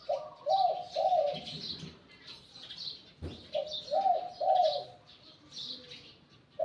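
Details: A spotted dove caught in the wild and kept as a decoy, with a medium-to-deep Liu Tan voice, repeats a phrase of a brief coo and two longer purring coos twice. A sharp knock is heard midway, and small birds chirp behind.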